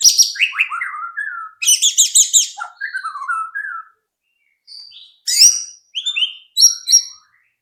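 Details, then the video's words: White-rumped shama song used to coax other shamas into singing: descending whistled notes, a burst of rapid high chattering trills, then a quieter pause before sharp high whistled phrases. "pancingan AMPUH murai batu agar cepat bunyi"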